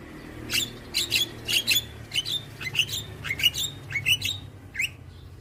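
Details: Young white-eyed Javan myna, head bobbing, repeats short bright chirps in pairs about every half second to prompt hybrid mynas to call, over a faint low hum.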